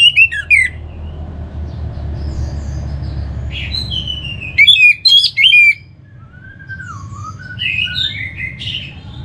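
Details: Singing orange-headed thrush used as a lure for kept birds. Loud bursts of sharp whistles and harsh notes come in short groups, separated by softer, slurred whistled phrases in the background.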